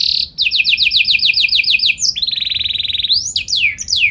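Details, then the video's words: Canary song opening with a fast series of repeated downward-slurred whistles, about ten, then a rapid rattling trill and a few loud rising and falling whistled notes. "Burung Kenari Gacor Nembak Joss Cengkok Istimewa! Buat Kenari Lain Langsung Nyaut Gak Pake Lama"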